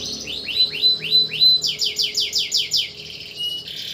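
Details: Canary singing at night, kept as a tutor singer for other songbirds: a series of rising swept notes, then faster, higher upslurred notes, ending in a short buzzy trill.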